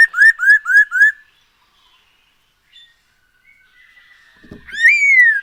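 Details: Black-throated laughingthrush song as a singing lure: four quick upslurred whistles, a long quiet gap with faint notes and a click, then one long loud rising whistle.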